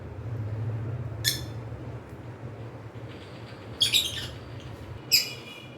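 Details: Pet cockatiels kept as companion birds give three short, harsh chirps, one alone then a close pair near the end, over a steady low indoor hum.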